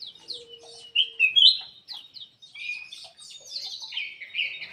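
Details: Black-crested bulbul singing in an aviary, played to prompt quiet birds: a quick series of slurred whistles, then a loud rising phrase and sweet warbling that runs to the end.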